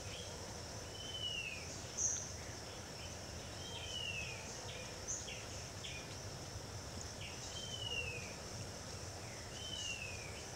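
Scale-throated Hermit gives thin, high, down-slurred squeaky notes every two to three seconds, with short sharp chips between, over a steady shrill insect drone.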